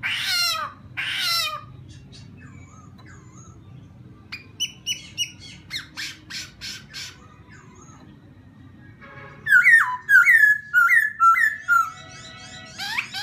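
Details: Laughingthrush singing to provoke another bird: two harsh scratchy bursts, scattered short sharp notes after a long lull, then a run of five loud swooping whistles and a buzzy chatter.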